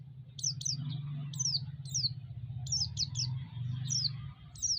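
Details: White-eye chirping used to stir up other white-eyes: quick high notes dropping sharply in pitch, often in pairs or triplets, with a constant low hum underneath.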